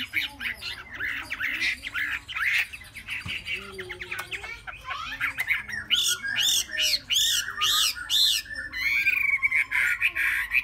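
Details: Caged three-month-old Chinese hwamei singing a long, varied sequence: dense scratchy squawks first, then a string of loud arching whistles repeated several times, and a fast whistled trill.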